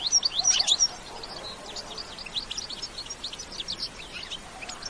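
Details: European goldfinch singing a lively bitbita-style song, without added sound effects: fast, high, twittering notes and short trills that are loudest in the first second, then continue more softly throughout.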